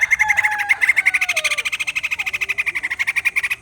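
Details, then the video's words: White-crested laughingthrush kept as a cage bird, giving a fast pulsed chatter that climbs slightly in pitch at the start, while a lower falling whistle slides beneath it in the first half. "Poksai Jambul males bunyi, dengar suara ini malah GACOR"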